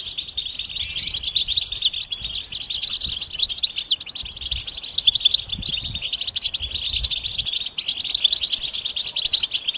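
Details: Goldfinch mating and readiness twitter meant to prompt a quiet male to sing: a continuous, busy stream of high, thin chirps and short trills, closely packed and uneven, with soft low rustling below.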